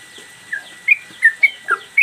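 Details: Caged sooty-headed bulbul singing freely, used as a master recording for training cage birds: scattered short whistled notes, some sliding down, with gaps between them and a steady faint high tone behind.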